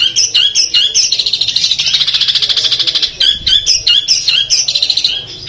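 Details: Long-tailed shrike from Madura, a kept Peterpan-type bird singing full Armagedon material: dense, harsh high chatters and squeaky notes, with a fast buzzy rattling trill in the middle, then more clipped chirps.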